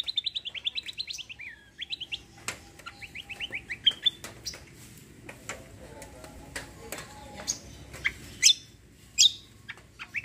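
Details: Kecial kombo, or cucak kombo, in gacor roll tembak: opens with fast, high, wavering trills, followed by scattered sharp clicks and chips with occasional bright high notes over a steady background hum.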